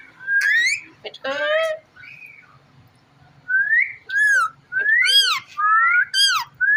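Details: Pet rose-ringed parakeet whistling indoors: repeated arched and rising tonal notes, several with bright harsh overtones, roughly one burst per second after a short quiet gap.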